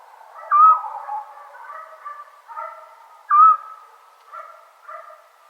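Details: Summer night in Serbia with a scops owl: two brief, pure whistled notes about three seconds apart, set against a continuous soft low humming and trilling backdrop.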